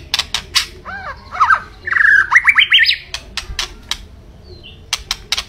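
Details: Sharp clicks open a white-rumped shama phrase, then arched whistled notes lead into a quick rising warbled trill, followed by more clicks.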